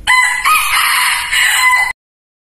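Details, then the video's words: Lure rooster for trapping wild junglefowl crowing once, loud and raucous, lasting nearly two seconds with a short hitch after the opening note and a steady, ringing finish. "suara kokok ayam pikat sangat josz"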